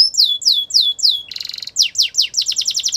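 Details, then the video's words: Canary singing for training purposes: four long descending whistles, a brief metallic buzzing burst, then quick falling notes speeding into a rapid trill. "The most popular canary training | Play now, your canary will sing a lot"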